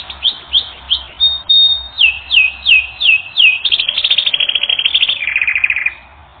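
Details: Canary singing on a training recording: a series of clear downward-sliding whistled notes, about three per second, flowing into a fast even trill and a lower rolling trill at the end, with a faint low hum.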